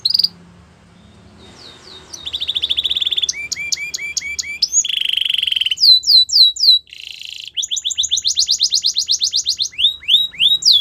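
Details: Canary delivering a varied training song: a high note, rasping bursts, clipped repeated whistles, a steady lower buzz, then sweeping swoops and a long run of quick repeated syllables.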